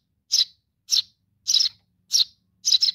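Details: Sparrow chick calling its mother with five scratchy, high chirps spaced about half a second apart, some notes doubled, nothing else audible.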